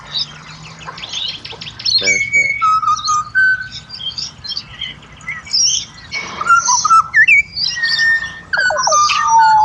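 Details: Pied butcherbird from Australia: a low hum at first, then spaced whistled phrases, some dropping in pitch, with a quick harsh burst and high twitters.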